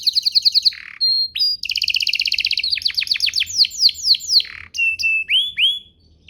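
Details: Canary singing a lure song meant to prompt other canaries to answer: rapid high trills and buzzy rolls, then a quick series of down-swept notes, ending with drawn-out whistles and upward slurs.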